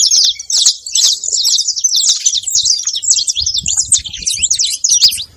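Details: Saffron finch making noise: a dense run of bright, fast chirps and twittering notes, high-pitched and continuous across the whole stretch, with faint low rumbling underneath toward the end.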